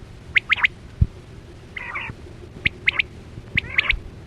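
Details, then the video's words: Quail call used as a hunting lure with nets, 2024-25: two groups of three sharp whistled notes framing a short harsh rattling burst, with a low hum and a single dull knock. "Sound Of Chora Quail Batera"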